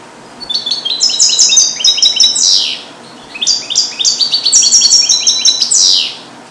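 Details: European goldfinch hatched in captivity in 2022 and taught Neapolitan song passages, held in a small cage: two long bursts of rapid, tinkling, high-pitched twitters ending in falling sweeps, with constant low hiss.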